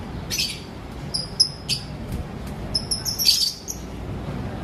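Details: Lovebirds of various colours in an aviary in the morning give short, high, sharp chirps, several in quick clusters with brief pauses between, over a low steady background hum.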